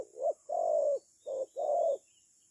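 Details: Decoy spotted dove used in bird trapping, cooing twice in quick succession, each phrase a brief soft note and then a longer, level, throaty coo; a thin high background hiss runs throughout.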